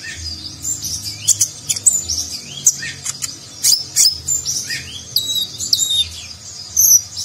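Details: Konin, a nectar-feeding sunbird, giving a rich-filler Nagen-style song recorded to train contest birds: bright, shrill twittering with rising and falling slurs, clusters of sharp ticks, and a few longer high whistles near the end.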